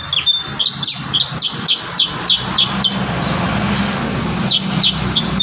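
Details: Kurincang in lively, full song used as training audio for young birds: quick sharp high chirps repeated about three per second, over a steady hiss and low rumble.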